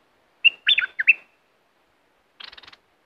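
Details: Southern Thai bulbul, sound meant to make birds excited for trapping: a lively burst of chirpy, liquid whistles with a trailing note, then a rapid buzzy series of about six pulses.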